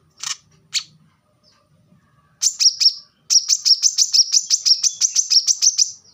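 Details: Plain-throated sunbird for training cage birds, a few scattered sharp notes, then a fast, even trill of high, thin chirps lasting about three seconds.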